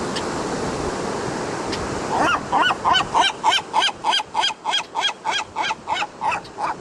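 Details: Gulls at the ocean in California, giving a fast, regular series of loud harsh calls, about three per second, that starts partway through after a stretch of steady surf and wind noise.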